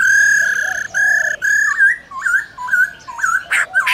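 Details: Laughingthrush forest-style song calling wild birds, a female present: long flat reedy notes give way to a string of short wavering, looping whistles, with a sharp burst near the end.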